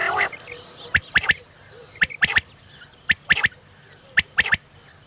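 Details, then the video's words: A quail gives crisp triple-note calls, each quick 'whit-whit-whit' group spaced about a second apart, after an opening blurred noise, over a faint low hum; tied to quail hunting at evening time. "new Quail bird Sound Fo Bater ki awaz Vol 26 Zabardast awaz Quails sound"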